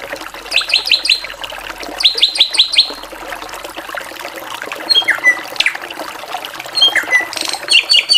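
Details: Varied drongo song in 'gacoran' style: two bursts of rapid, buzzy stuttered notes, each about a second long, then high thin whistles and downslurred squeals, with a faint watery trickle behind.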